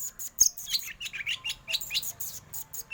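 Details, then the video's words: Black magpie-robin contest bird giving dense 'batuk' style song: a rapid, scratchy stream of high chattering and twittering notes with one sharp click near the start. "kacer hitam BATUK biasa juara di gantangan"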